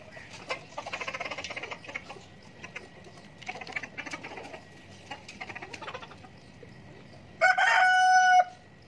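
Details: Chickens drinking and eating alongside rabbits: soft, scattered clucks and scratching give way to a loud, harmonic chicken call near the end.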